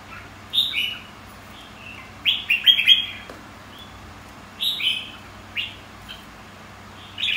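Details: Red-whiskered bulbul contest song for training white-cheeked birds to sing in competitions: loud, clear whistled phrases of two to four quick slurred notes, delivered in bursts roughly every two seconds over a quiet background.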